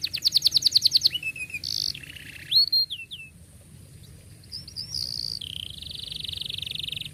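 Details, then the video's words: Canary delivering a long song with tight rolls, used as a lure for young canaries learning: a rapid trill opens, followed by a few slurred whistles, a quieter pause and a long buzzy rattle near the end. "KENARI GACOR PANJANG cuit cuit Ngerol Rapat"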